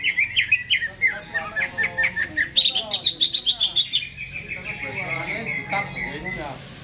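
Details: Greater green leafbird in a cage, singing eagerly before being hung up: a string of loud chirped notes, a fast rattling burst, then a softer, steadily descending chattering trill.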